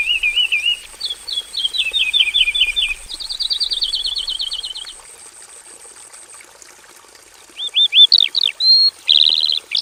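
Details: Caged Javan bush lark in a simple aviary giving a varied song: buzzy trills and a long even rattle, a quiet pause, then loud sharp upslurred chips and a harsh burst, over a faint high steady whine.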